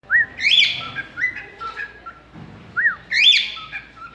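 A cockatiel gives clear whistled phrases, a quick rising note followed by a brighter warbling burst, with the pattern returning after about two and a half seconds.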